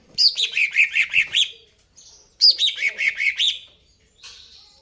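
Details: Greater green leafbird singing vigorously: two rapid trills of about eight sharp notes each, each trill falling slightly in pitch and lasting over a second, separated by a short pause.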